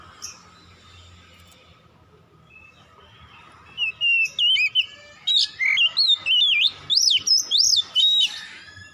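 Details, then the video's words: Oriental magpie-robin singing at dusk: after a quiet start, a long run of loud, varied whistles, swooping up and down and repeated rapidly, building into an energetic warbling phrase. "KICAUAN BURUNG KACER DIKALA SENJA"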